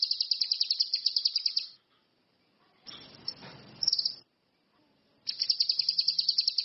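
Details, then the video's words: Orange-headed thrush, known locally as cucak kinoi or ranti mas, singing actively in the wild: a fast run of high, sharp repeated notes, a burst of broad hissing noise, then the rapid high series again. "SUWARA BURUNG CUCAK KINOI/ RANTI MAS, GACOR"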